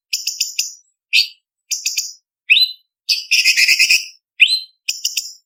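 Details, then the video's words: Contest master song of a cucak cungkok leafbird. Quick stuttered note groups and upslurred whistles lead into a long rough buzzing chatter, then more sharp rising whistles, all high and clean. "Masteran Cucak Cungkok Istimewa ~Isian Kasaran Pedas Variasi ~ Tembakan Masteran Burung Lomba"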